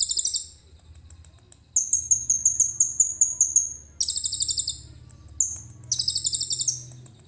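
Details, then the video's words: Common iora singing a song filled with imitated cililin phrases, recorded on a phone camera: high, fast rattling trills alternate with a long, steady buzzy whistled run and short bursts, all very high-pitched over a faint low hum. "KONIN GACOR FULL ISIAN CILILIN JERNIH"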